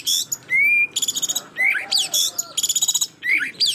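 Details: White-rumped shama singing to provoke a rival bird: harsh buzzy bursts alternating with a smooth rising whistle, rapid stuttering trills and upswept chirps.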